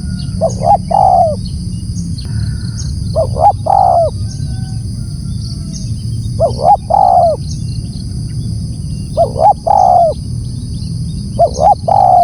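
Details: Loud, repeated calling of a spotted dove: five phrases of two quick coos and a longer downslurred coo, spaced two to three seconds apart, with a continuous thin high whine and low rumble throughout.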